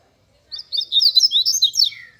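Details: Seedeater known locally as papa-capim, a grego-style bird from Minas Gerais, singing a fast, high, twittering phrase of slurred chirps and short trills lasting about a second and a half, ending on a lower drawn-out whistle.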